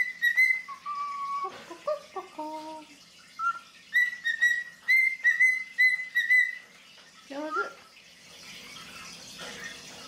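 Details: A tame female cockatiel perched on her keeper's sleeve sings while being petted on the head: high whistled notes, a sliding descending phrase, a rapid string of bright repeated whistles, then a brief warble before faint rustling.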